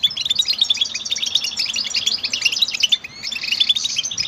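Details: Cheerful goldfinch chirps run together into a dense, high twittering song, ending in a drawn-out buzzy trill with a few sliding whistles.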